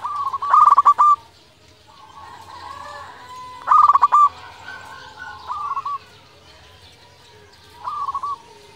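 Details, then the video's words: Local zebra dove in constant song, a lure that gets rival doves replying: four bursts of rapid rolling coos spread across the recording, the first two loudest, with softer cooing between. "Perkutut lokal gacor suara paling di sukai perkutut sekali dengar bikin lawan langsung nyaut"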